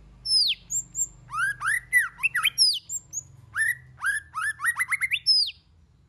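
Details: White-rumped shama singing in many voices, used to stir other shamas into song: loud, varied whistled phrases, some sliding down from high notes, others rising and chattering, repeated in quick bursts with brief pauses.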